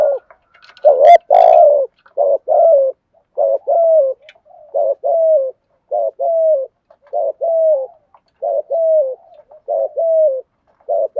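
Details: Decoy spotted dove cooing steadily to rouse wild doves: a continuous run of short, mellow, slightly falling coos about every second, with a brief sharp click near the start.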